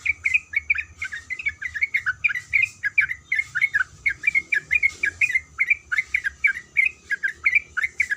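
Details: Female yellow-vented bulbul, in breeding condition, calls to the male with an even stream of sharp, twisting chirps repeated several times a second.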